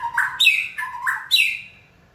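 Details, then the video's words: White-rumped shama, a trained bird stimulated by a person's cues to sing, gives three short whistled phrases, each stepping up from a low note to a higher, slightly harsh one with bright overtones, in quick succession. "Kỹ thuật kích thích lửa cho chim hót (shama bird)"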